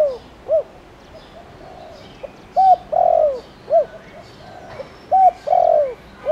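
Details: Lure spotted dove with a 'tho dong' voice, cooing to stir wild doves into calling. Two full phrases are heard, each a brief coo, a level note and a long falling coo, with arched short notes between. Distant small birds chirp.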